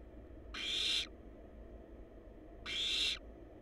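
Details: Wild barn owl chicks in a monitored nest box on a live cam give two harsh, hissing snores about two seconds apart, each half a second long and broad-band, over a steady low hum.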